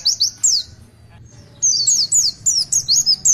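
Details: Pleci, or Oriental white-eye, giving broken tulitwitwit song: a few sharp high whistles, a near-silent gap, then a row of repeated downslurred chirps at short intervals.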